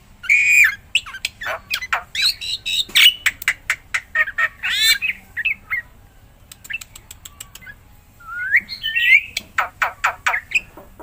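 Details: Black-winged myna (jalak putih) in full, energetic song, used to prompt silent mynas to sing: harsh squawks and rasping bursts alternate with short whistled notes, a busy stuttering run of clicks in the middle, then rising whistles near the end.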